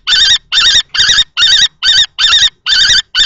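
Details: Common kestrel males battle for a nest box in Théding, 20 March 2024, a female nearby. Piercing, warbling kee calls repeat rhythmically, about eight in just over three seconds.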